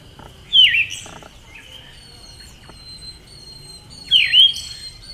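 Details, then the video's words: Two clear chirped calls from a female Siberian thrush, about three and a half seconds apart. Each call swoops down and back up, with faint high tones and soft background hiss between them. "SUARA BURUNG ANIS SIBERIA BETINA"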